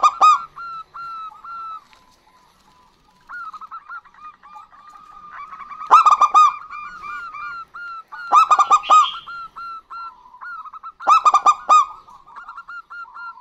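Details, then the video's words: Female and male local zebra doves sing back and forth in lively song: runs of soft, evenly spaced short coos give way to three loud clusters of sharp, ringing notes about every two and a half seconds. "Perkutut Lokal Gacor Betina Dan Jantan Bersahutan"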